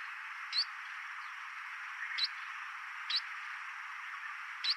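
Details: Chestnut munia (Lonchura atricapilla), recorded 11 May 2024, gives four thin, high, rising call notes, spaced about one to two seconds apart, over a steady background hiss.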